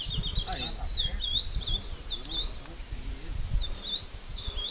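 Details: Caged ultramarine grosbeak in Brazilian woodland at Passos, Minas Gerais, singing against a wild bird it is fighting: jumbled sliding whistled notes in bursts, with people talking underneath.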